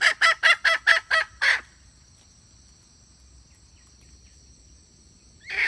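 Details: Decoy hen calling, 2021: six quick harsh clucks in about a second and a half, then near silence, with one more call starting at the end.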